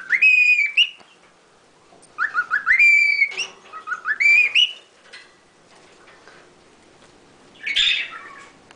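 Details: Lutino cockatiel kept as a pet, whistling La Cucaracha: two or three clear rising whistled phrases in the first half, then quiet and one short harsh squawk near the end.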